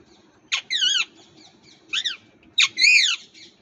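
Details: Parrot in India giving harsh squawking calls: a short burst then a wavering harmonic-rich screech near 0.7 s, a brief call at 2 s, and a louder double squawk at 2.6–3.1 s, with quiet indoor background hum.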